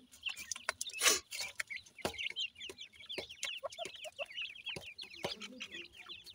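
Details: Captive-reared Pakistani black francolin (Dakhni teetar) chicks while feeding: a continuous chorus of high, fast chirping peeps, overlapping and wavering, punctuated by sharp pecks and one loud rustling burst early on.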